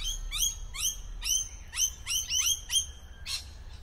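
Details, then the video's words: Shrill, ringing lorikeet chirps rising sharply in pitch, delivered in rapid, slightly irregular series from birds hidden in a tree, ending with a rougher screech. "sound of lorikeet"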